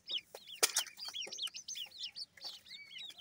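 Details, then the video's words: Grey francolin chicks (teetar) peeping in a crowd: quick, high, curved chirps overlapping one another, a few longer rising-falling notes, plus loud click-like taps early on. "teetar bird chicks,grey francolin birds chicks awaz"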